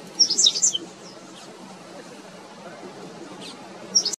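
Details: Black-faced Grassquit (Tiaris bicolor) in Arashi desert, Aruba, October 2022: a brief, high, buzzy sputtering song, repeated about three seconds later over a low background rumble.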